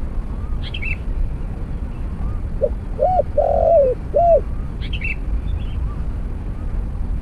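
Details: Spotted Dove at a snare-cage trap with a decoy bird, giving one phrase of two arched coos, a long rolling coo and a closing arched note, while other small birds chirp and whistle softly around it.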